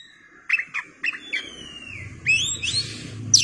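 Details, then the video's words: White-rumped shama (kacer) song while fanning its tail: short sharp chips, then long sliding whistles rising into high swooping notes, over a soft low rumble. "KACER gacor ngeplay buka ekor"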